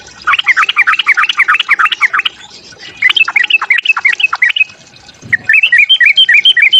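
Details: Sooty-headed bulbul singing a fighting song to provoke other birds, fast bubbling series of looping whistled notes in bursts, a short gap, then higher chirping notes.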